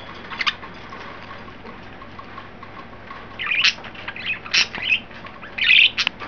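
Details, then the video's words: Three pet budgerigars, green, yellow and white, excited and playful, recorded May 29, 2012; quiet at first, then a burst of short, bright chirps and squeaky warbling notes in the second half. "excited and playful budgies"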